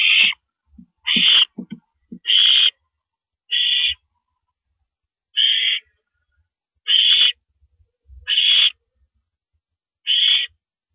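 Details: Owl on April 9, 2012, at 1:27 AM, swallowing a rabbit; eight rasping, breathy screech bursts at uneven intervals of one to two seconds, with short clicks near the start.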